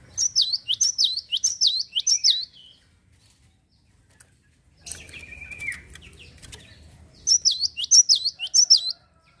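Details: Java sparrow singing to goad other birds into song: quick runs of sharp high chirps in two bursts, separated by a pause and a sustained falling whistle amid faint rustling.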